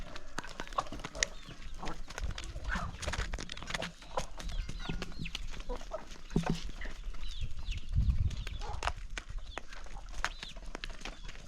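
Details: Hungry chickens feeding in the morning on a country farm, with dense pecking clicks and shuffling, faint peeps and occasional low clucks mixed in.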